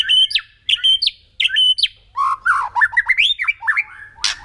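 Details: White-rumped shama kretekan song, a lure for angering other birds; crisp ringing whistled phrases repeated about every half second, then a tumbling run of lower warbled and chattering notes, closing with a harsh rasp.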